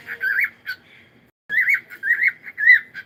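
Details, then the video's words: Morning song of a cockatiel: warbling, wavering whistled phrases that rise and fall, a short pause, then three more looping whistles in quick succession. "cute Cockatiel singing and sound"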